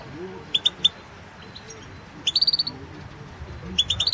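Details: European goldfinch in a world championship goldfinch song recording: sparse high chirps, then a quick string of bright repeated notes and a short closing burst.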